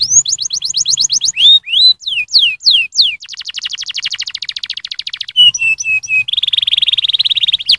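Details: Canary song used to stimulate other canaries to sing: a loud, fast, varied sequence of high whistled upslurred notes, then dense buzzy trills, a short series of repeated descending whistles, and a final rapid rolling trill, with no other sounds.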